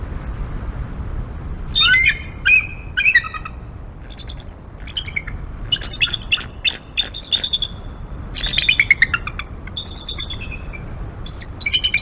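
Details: Decorah bald eagle pair perched on the Y-branch of their nest tree, morning of 01-11-2022, nest-cam recording: scattered shrill piping notes building into dense chittering runs, with gaps between phrases and light background hiss.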